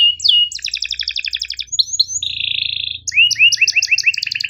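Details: Canary singing a long tutor song for young or reluctant canaries: sharp chirps, a fast rattling trill, a sustained buzzy tone, then a series of rising whistled notes repeated quickly.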